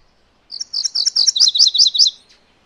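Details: One song phrase from a MacGillivray's warbler: clear, high, evenly paced chip-like notes, then rapid paired lower notes, about a second and a half in all, over a silent background.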